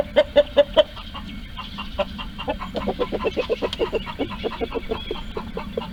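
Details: Hens in a farm coop calling while trying to lay eggs: four sharp clucks at the start, then a long run of quick, quieter clucks at about two or three per second.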